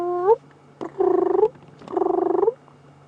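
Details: A laughing dove just after sunset on June 15, 2015, as doves come down to drink at twilight, gives soft, low, bubbling coos. A short rising note is followed by two rolling, stuttered phrases about a second apart, over a faint hum.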